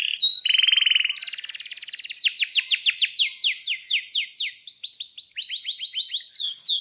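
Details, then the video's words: Lively canary, a lure to make other canaries sing: opens with a bright buzzy roll, then a long rolling string of crisp downward chirps repeated about three times a second. "PANCINGAN KENARI AGAR BUNYI JADIKAN BURUNG KENARI GACOR Seketika"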